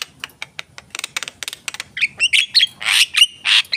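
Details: Javan myna in active song, starting with a series of dry clicking ticks that build into louder, rasping squawks and nasal shrieks with ringing overtones.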